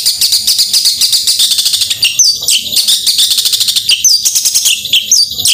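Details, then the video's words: Long-tailed shrike in energetic 'gacor tembakan' song: a relentless high buzzy chatter, then short chattering bursts each capped by a sharp whistled slur. "Ampuh Cendet Gacor Tembakan Merangsang Emosi Cendet Malas Bunyi Agar Cepat Ikut Bunyi"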